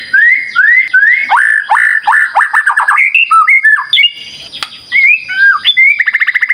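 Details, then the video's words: White-rumped shama, a 'gacor' lure song meant to provoke other birds into answering: loud, varied whistled phrases, rising slurred notes followed by rapid chattering trills and a fast repeated ending. "Pancingan Murai Batu Gacor"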